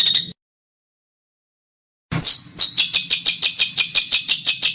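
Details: Training master song of a bird with coarse besetan phrasing. A brief burst, then a long silence, then sharp downward-sweeping notes followed by evenly spaced harsh, buzzy chips roughly three per second.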